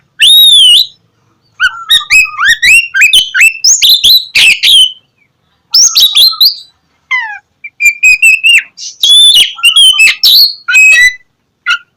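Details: Oriental magpie-robin singing energetically, a lure for unwilling magpie-robins to sing in the morning; long high whistle, then dense sequences of rising whistles, chips and squeaky warbles in phrases separated by short silences.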